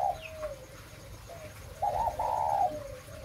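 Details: Spotted dove of the 'mã phân hồng' strain, breeding bird, giving a low cooing song: a soft opening note, then a louder broken two-part coo near the end, the notes slightly wavering, over a steady low background hum.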